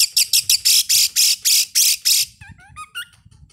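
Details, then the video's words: Oriental magpie-robin lure played before birds are hung up at a contest so they will sing: about ten loud, grating rasps in quick rhythm, then a few short, quiet whistled notes. "PANCINGAN KACER SEBELUM NAIK GANTANGAN AGAR MAU BUNYI DI LAPANGAN"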